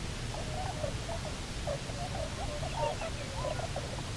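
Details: Bermuda petrel (cahow) at the Nonsuch Island nesting site after the pair's return, 29 October 2018. Faint, scattered squeaks and short wavering notes sit under a broad, steady rumble.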